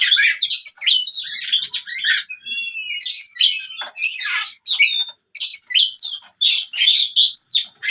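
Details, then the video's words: Oriental magpie-robin fighting song for stimulating birds that have stopped singing: rapid scratchy bursts broken by pure whistled notes that step downward, energetic and nearly continuous. "KACER TARUNG COCOK UNTUK KACER MACET BUNYI"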